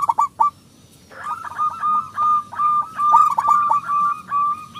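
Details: Local zebra dove singing to draw other doves into song; a few sharp clipped notes, a short silence, then longer sustained cooing notes strung together.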